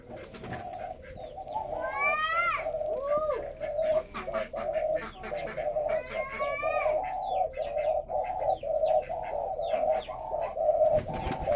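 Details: Caged spotted doves at a breeding farm in Ba Vì, near Hanoi, Vietnam: a steady, overlapping low cooing chorus fills the clip. Sharp chirps and rising, stacked squeals from other birds cut through repeatedly.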